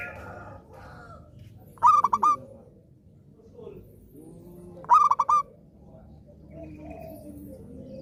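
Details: Zebra dove in steady song, kept to prompt non-singing doves to sing again: paired phrases of rapid, hiccuping coos closing on a longer note, spaced about three seconds apart, with softer murmuring calls in the background.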